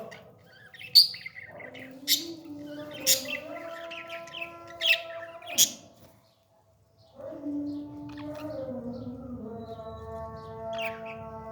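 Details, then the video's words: Baby parrot at feeding, giving several sharp raspy squawks, then drawn-out wavering nasal whines that rise and fall, with a short silent gap between. "beautiful parrot 🦜 baby feeding"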